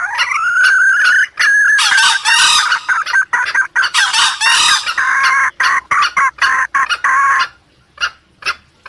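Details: Junglefowl calls played to lure wild birds. A rising drawn note leads into loud, raspy, layered bursts, then quick clucks about four per second that fade into near quiet at the close.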